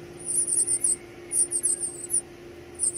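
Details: Young birds being fed give piercing, high squeaky begging notes in two quick clusters, each of several chattering squeaks, against a low steady background hum.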